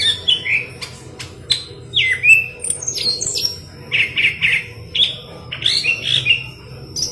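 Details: Intense, gacor-style singing by a golden-fronted leafbird, meant for tutoring green leafbirds: a busy run of bright chirps, downslurred whistles and short trills with barely any pause, over a quiet low background hum.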